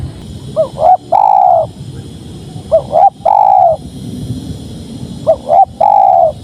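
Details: {'caption': 'Spotted dove delivering three cooing phrases: two brief upslurred coos, a short pause, then a long smooth coo, spaced about two and a half seconds apart against soft low background noise.'}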